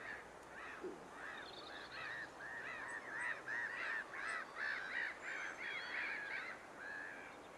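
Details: Lesser black-backed gull at Lingham Lake, 14 March 2015, filmed on a Lumix GX7: rapid run of short, nasal, laughing calls, about three per second, swelling and fading in loudness over a hissing outdoor background.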